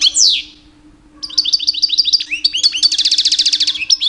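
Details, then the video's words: Male European goldfinch, two years old, kept as a pet, singing in mating season to attract females; a sweeping downslurred note, a pause, then fast chattering phrases ending in a dense buzzy trill. "My 2 years old Goldfinch song"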